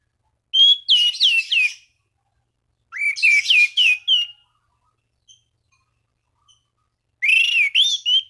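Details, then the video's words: Orange-banded thrush singing to challenge rivals and stimulate other thrushes, three loud phrases of looping whistled slurs over high buzzy trills, separated by pauses of a second or more. "Anis Cendana Gacor MEMANGGIL LAWAN Pancingan burung anis lain agar berkicau"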